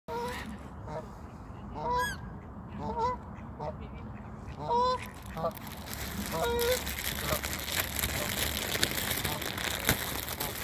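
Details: Geese at feeding time, kept together with ducks, giving short nasal honks in an irregular series over the first seven seconds, then a dense rushing, splashing noise from the feeding flock takes over.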